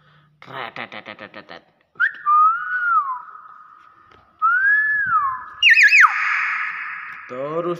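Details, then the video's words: A hill myna indoors runs a quick burst of speech-like syllables, reportedly saying "Assalamualaikum", then two clear, looping whistles and a loud, harsh, ringing squawk, in a small indoor space. "BURUNG BEO GACOR"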